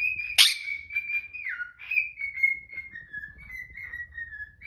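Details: Pet cockatiel in the morning whistling a tune while a Quaker parrot protests: sustained clear whistled notes gently stepping down in pitch, opened by a sharp harsh squawk; indoors, quiet background.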